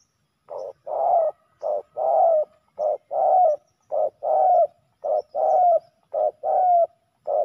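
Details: Fighting male spotted doves at a ground decoy, cooing steadily: brief note followed by a drawn-out, slightly falling coo, phrases evenly repeated roughly every 1.2 seconds with no other sounds.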